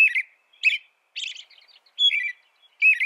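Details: American robin song made of clipped warbled phrases, several with high chittering overtones, alternating with gaps of quiet, no background noise.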